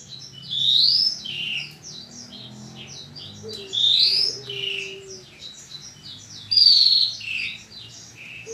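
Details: Horsfield's bushlark training recording from 2022, for making caged bushlarks sing: three loud bursts of rising whistles and buzzy trills roughly every three seconds, separated by softer quick chirping, with a faint low tone midway.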